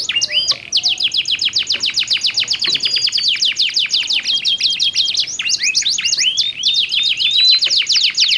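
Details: Two singing canaries trading phrases, used as therapy for canaries that stopped singing after moulting: long rapid rattling trill of sharp descending notes, interrupted by slurred whistles, then more trilling and curved whistles.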